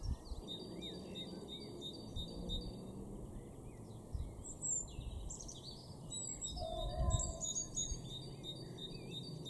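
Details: Great tit in a garden in Norden, East Frisia, northwest Germany, April 2023, giving thin, high, rapidly repeated call notes, mixed with other small birds' chirps over a steady low rumble of wind or traffic.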